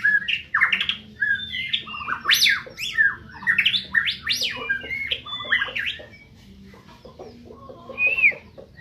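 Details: White-rumped shama from Medan in full song: a fast, varied run of loud swooping whistles and sharp chattering notes jumping between low and high pitch, tailing into softer twitters, with a faint low hum beneath.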